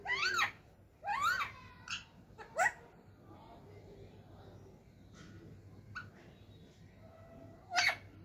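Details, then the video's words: Indoor talking parrots giving several harsh, harmonic, speech-like utterances, two strong ones at the start, then scattered shorter squeaks and a final sharp note, over a faint low hum. "बोलने वाला तोता.. talking parrots.."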